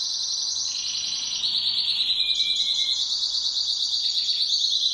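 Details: Pet canary kept at home, singing in duet: continuous high rolling trills and buzzy rattles shifting between pitches, with a brief lower whistled note in the middle, steady and loud throughout.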